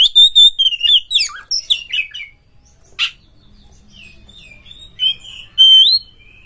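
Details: Oriental magpie-robin, a captive bird, in a training song recording; an energetic opening of loud whistles and harsh notes, a single sharp click, then quieter scattered whistled phrases ending in a clear rising slur.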